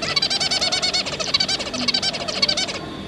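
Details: Zebra finch family, two parents with three juveniles: a dense, rapid run of buzzy, nasal harmonic calls, about two per second, overlapping almost continuously before stopping abruptly near the end.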